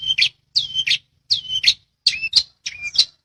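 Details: Long-tailed shrike (cendet) in a bird-training master recording: five paired notes, each a raspy high burst joined to a clear falling or level whistle, spaced about every half second.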